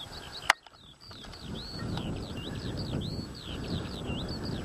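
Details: Skylark singing at Adderstonelee near Hawick: an unbroken stream of high, quick, twittering warbles over steady low wind rumble, with one sharp click near the start.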